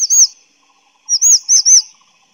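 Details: Grey-chinned minivet giving a high thin whistled note, then after a pause a quick series of three or four arched sweet whistles close together.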